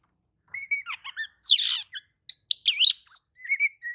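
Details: Oriental magpie-robin singing a song said to make any other magpie-robin hearing it answer excitedly: varied clear whistles and short chirps, a loud harsh buzzy burst, then quick upslurred whistled notes and a final rising whistle.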